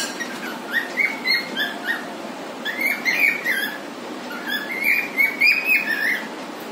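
A cockatiel sings a string of bright whistled phrases, rising and falling quickly.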